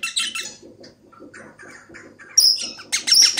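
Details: A hand-tamed pet eastern rosella gives harsh, scratchy "laughing" chatter: a quick burst of rasps, softer broken notes, then loud grating screeches in the last second.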